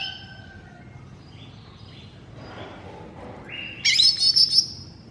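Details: Green leafbird (cucak ijo mini) masteran song: faint, thin whistled notes and slurs for several seconds, then a loud, rich burst of rapid, buzzy, warbling trills near the end over a low background hum.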